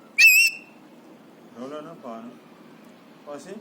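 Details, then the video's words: Three-year-old pet Alexandrine parakeet, happy and excited, mimicking whistles and sounds: one short, bright, wavering whistle, then soft low murmured syllables spaced about half a second to a second apart. "Alexandrine Parrot Talking | Happy/Excited Parrot | Parrot imitates Cough & Whistles & Screams"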